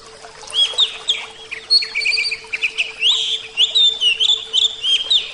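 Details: Javan oriental magpie-robin kept as a cage bird, giving a busy song of short whistled notes, harsh chirps and rising slurs in quick succession, with a steady low hum behind.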